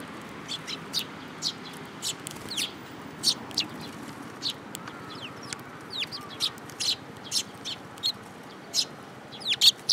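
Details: Sparrows coming for food offered on a hand, Tenmangu shrine, 7 July 2022: a steady stream of brief bright chirps repeats about twice a second throughout, from several birds, over a low background hum.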